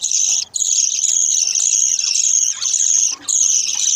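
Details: Hungry budgerigar chicks being fed by their mother give a continuous, harsh, high-pitched raspy begging buzz with only brief pauses.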